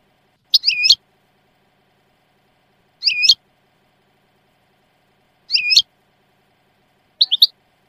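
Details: European goldfinch song said to be delivered without mistakes: four short, high, curling chirp phrases, each a fraction of a second, coming roughly every two and a half seconds against a quiet background.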